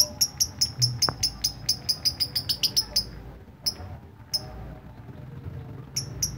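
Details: Lovebird performing ngetik, the typing-style chirp: a fast run of sharp, clicking high ticks that speeds up over three seconds, then stops, followed by a few isolated ticks; low hum behind.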